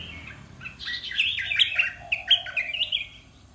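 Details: Caged red-whiskered bulbuls of the 'dok taeng' and 'ta daeng' kinds singing together: a continuous run of lively, slurred whistled notes, with a faint lower-pitched tone underneath and a low background hum.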